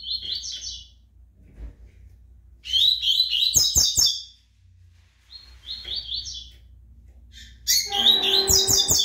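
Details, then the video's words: A captive pardo-type double-collared seedeater male sings bright, rapid twittering phrases high in pitch, delivered in bursts every couple of seconds, with a few sharp clicks and knocks in the room. "COLEIRO PARDO CAPONE SOLTANDO CANTO"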